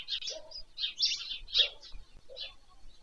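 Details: Nest livestream of white stork chicks being fed in the evening, Poltava region, Ukraine, beside Pyriatynskyi National Nature Park, 21 July 2024. A few loud, raspy bursts arrive about twice a second, interspersed with softer lower notes.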